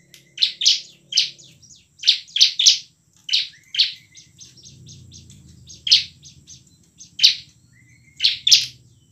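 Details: Energetic bar-winged prinia song in the ngebren and nembak style, a lure to set lazy birds singing: many rasping, high buzzy notes, often paired, with softer ticking between them and a faint low rumble.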